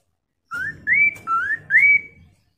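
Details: Four loud whistled notes from a Chinese hwamei, each sliding upward, the second and fourth higher and longer, delivered as a lure so other birds respond and sing; quiet room noise underneath.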